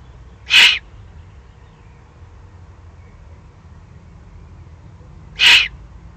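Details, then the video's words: Begging of excited young Eurasian eagle-owls, Eifel, 21 June 2020. Two rough, sibilant hisses, each brief, spaced nearly five seconds apart over a faint low background. "Eifel Uhu, 2020-06-21, aufgeregte Junguhus."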